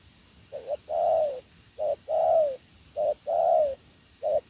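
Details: Spotted dove, a prized calling bird in Vietnam, giving a repeated cooing phrase: a short low coo followed by a longer, slightly falling note, phrases about every 1.2 seconds.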